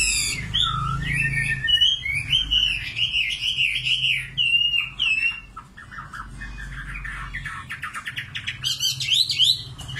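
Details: Nightingale singing a long sliding whistled phrase, then sparse soft notes and a closing burst of rapid rattling trills.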